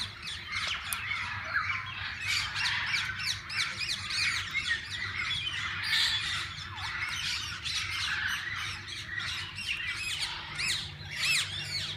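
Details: A walk-in aviary full of different parakeets, which visitors may feed and hold, rings with constant layered chirping and shrill squawks, pulsing loudly throughout.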